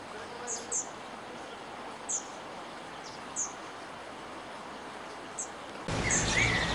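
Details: Spotted flycatcher (Muscicapa striata) during its nesting period, 13 June to 13 July 2011. It gives thin, very high 'tsee' calls, singly or in quick pairs, every second or two over steady hiss that grows louder near the end.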